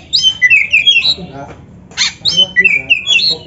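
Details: Oriental magpie-robin, captive, a training song played to stimulate another bird to sing: rich varied whistled phrases, sweeping and warbling, in two long bursts separated by a short rasping note.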